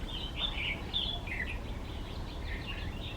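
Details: Red-vented bulbul singing among wildflowers during a short birding trip, giving bright, bubbly warbled phrases in quick succession, the first loud and clear and later ones softer, with faint low rumble behind.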